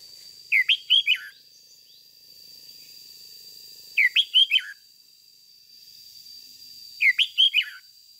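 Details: Spirited 'ché' song of a red-whiskered bulbul used as a decoy to make other bulbuls sing: three evenly spaced bursts of four or five quick, liquid whistles about three seconds apart, with a steady high whine behind.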